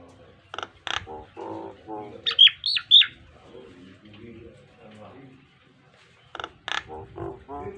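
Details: A Nias hill myna performs a model song meant for pet mynas to copy: piercing whistled notes and loud harsh chucks in clusters, a quieter nasal run midway, then a second burst of sharp calls.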